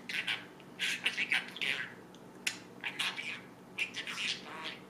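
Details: A 1.5-year-old male budgerigar in Northern Ontario, Canada, who talks 120+ phrases, chatters in quick, raspy bursts, imitating human words in a squeaky, buzzy voice.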